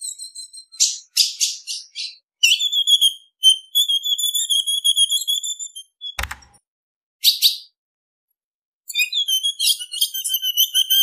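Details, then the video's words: Female ultramarine grosbeak calls said to excite males: quick bursts of high chips mixed with long, thin, slightly wavering whistled phrases, a single sharp click midway, then more whistling. "Piado de fêmea de Azulão Esquenta qualquer Azulão"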